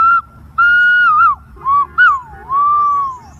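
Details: Green pigeon giving a melodious whistled call: a brief note, a long steady whistle ending in a wavering trill, two short notes, then a long note that dips and rises before fading.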